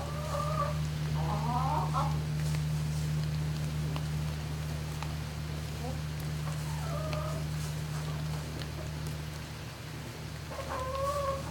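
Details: Turkeys calling inside a barn at night, recorded 11-05-2018 between 20:41 and 21:41; a few harmonic, wavering calls come in scattered bursts, near the start, around seven seconds and at the end, over a constant low machine hum.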